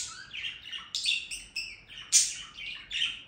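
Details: Budgerigar warbling in a fast jumble of high chirps, buzzy notes and brief whistles, with a few louder shrill squeaks standing out from the continuous chatter.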